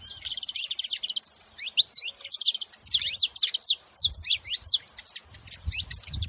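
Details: Saffron finches producing a jumble of high, piercing chirps and downslurred notes, sometimes overlapping, in irregular rapid bursts; low rumbling noises appear near the middle and end.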